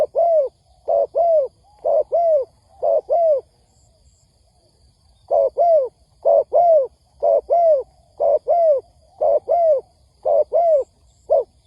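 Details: Spotted dove cooing from a trapping lure recording: rhythmic pairs of low mellow notes about one per second, a break of roughly two seconds, then the paired coos resume at the same steady pace.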